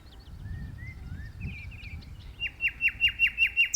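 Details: Soft rising whistles and twittering from a common nightingale singing in a tree, ending in a loud series of sharp repeated notes roughly five per second; faint low rumble beneath.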